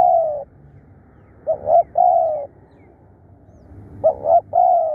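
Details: Spotted dove kept for decoy calling, described as bold and tireless, repeating mellow low coo phrases: a long note, then two short notes and another drawn-out coo, phrases spaced about two seconds apart in a quiet setting.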